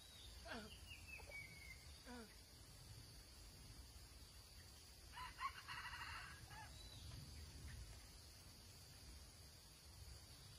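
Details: Red junglefowl recorded during junglefowl trapping on 6 March 2020. A short crow-like phrase opens with a falling sweep, and a harsher, broader crow follows about five seconds later. Faint insect hiss and small birds are in the background.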